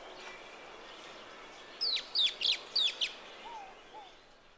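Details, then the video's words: A Social Flycatcher gives five harsh, high, down-slurred shrieks in a quick burst just over a second long, then two soft, low whistled notes, on a morning along the Huatulco River, Sierra Sur of Oaxaca, Mexico. "here are the shrieks of the social fly catcher"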